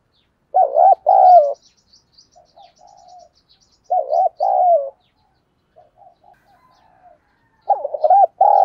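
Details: Spotted dove cooing as a lure for wild birds, giving three loud, rolling two-part coo phrases about three seconds apart, with soft murmured coos between them.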